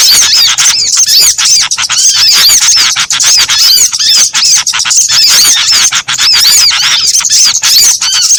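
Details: Small birds calling together in a trapping lure mix: a steady wall of shrill, squeaky chirps and short curved whistles, many voices at once, with only brief dips in loudness.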